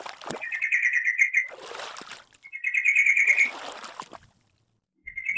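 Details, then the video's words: Song-training recording of a sooty-headed bulbul: loud fast chattering trills, two long phrases and a short start of a third, with splashing water sounds mixed in. "TERAPI AIR TRUCUKAN BIAR CEPAT GACOR - MASTERAN BURUNG TRUCUKAN GACOR"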